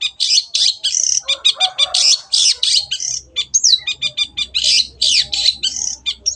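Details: A loud, busy Long-tailed shrike song packed with harsh rasps, rapid ticking bursts and a few swooping whistled slurs, delivered continuously over a soft low hum.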